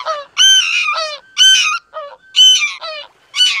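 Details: Greater white-fronted goose with loud, musical, squeaky honks, each a rising-then-falling yelp. They are given in a fairly regular rhythm of about one call per second, with some softer low notes between them.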